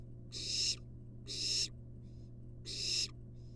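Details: Wild barn owl nestling being fed a long-tailed rat by its mother in a research nest box. It makes three loud rasping hisses roughly a second apart, with fainter softer hisses between, over a low steady hum.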